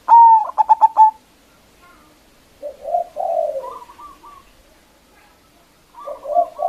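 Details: Local zebra dove, loud-voiced, singing to call out rival doves: one sharp whistled note and a rapid string of clipped coos, followed after a pause by low burbling trills and a softer repeated phrase.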